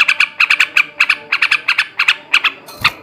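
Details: Male trucukan, the yellow-vented bulbul, in ngekek garuda style song: quick doubled harsh chattering notes, slightly thinner and higher, ending with a single sharp click.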